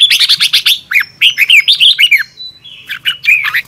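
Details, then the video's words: Red-whiskered bulbul singing in the morning in the double twisted voice style used to train wild-caught birds: a rapid stuttering series of sharp notes, then swooping, curling whistles and a thin drawn-out note. "Luyện chào mào hót sáng 2022 - Hót hay nhanh căng lửa | Ép bổi Giọng xoắn kép"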